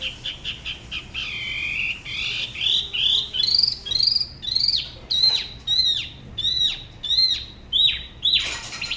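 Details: Spot-throated babbler from Da Lat, Vietnam, singing solo by the La Ba river, in a style said to differ from other regions: rapid series of clear whistled notes, some rising and others sharply falling, repeated almost twice per second.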